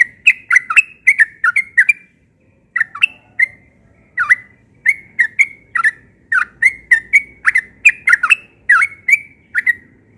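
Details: Yellow-vented bulbul in morning ropel song, singing insistently: dense strings of liquid, rolling notes, one brief pause near two seconds, then steady chattering phrases continuing with faint low background hum.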